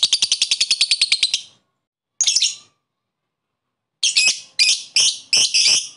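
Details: A lovebird koek challenges a rival with ngekek to excite other lovebirds, giving a quick trill of high squeaky notes, a short burst after a pause, then several loud harsh shrieks.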